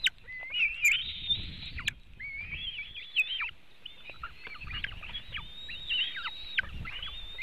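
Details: Eaglets of the white-tailed eagle at a webcam nest in Latvia, 24 June 2018 in mid-afternoon, during feeding with a big fish: continuous high, thin whistles with quick downward hooks, repeated in bursts, soft low bumping noises beneath.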